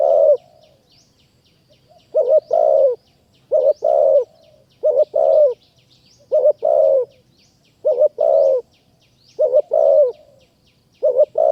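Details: In Kanchanaburi, Thailand, a forest spotted dove attracted to a trapping decoy calls steadily. There are eight low coo phrases over eleven seconds, each a stuttered double note plus a drawn-out coo that slides down. Soft high chirps sound in the background.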